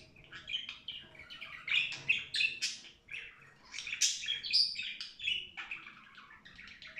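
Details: Budgerigar singing a long run of chirps, clicks and high squeaky twitters in irregular bursts, with a short lull midway before the chatter picks up again.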